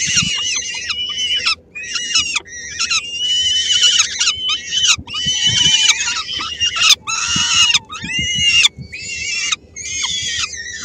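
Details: Helmond peregrine falcon nest, 13 May 2016: the female shares a small morsel with three-week-old chicks, some taking it from her. Mixed rasping screams and wavering wails in irregular bursts, a few lower-pitched notes.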